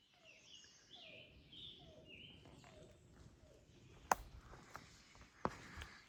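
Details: Eastern Wood-Pewee singing along the Appalachian Trail gives faint, slurred high whistles, repeated about once a second, over soft lower chirps, with two sharp footstep-like knocks.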